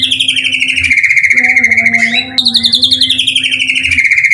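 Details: White-rumped shama lure song (pancingan) meant to get other shamas singing: rapid pulsed trills sliding down from high to mid pitch, each lasting about a second, with a short break midway and a steady low hum beneath.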